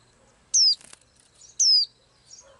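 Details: A small blue-eyed bird that sings every day gives two loud, pure, high whistled notes about a second apart, each sliding steeply downward. Faint flutter and soft chirps sound between them.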